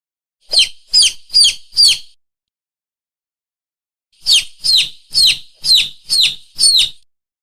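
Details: Chicks peeping: four high, downward-sliding chirps about two-fifths of a second apart, a two-second silence, then a run of seven more evenly spaced peeps. No other sounds are audible.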